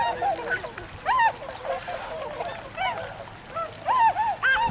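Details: Tundra swans, a wintering flock in Azumino, Japan, 22 February 2013, leaving to feed in rice fields; loud, nasal, rising-then-falling honks in scattered bursts, with softer calls of other swans behind.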